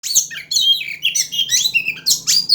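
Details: Oriental magpie-robin singing in a fighting style said to mimic a sunbird type, delivering loud rapid sweeping whistles and trills with no pauses, over a steady low electrical hum.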